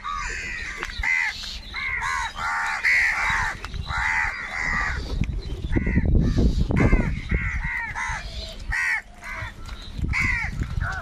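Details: Several crows fighting over food, giving very loud harsh caws in overlapping bursts, some arched and rasping, with a stretch of low rumbling noise and scuffling in the middle.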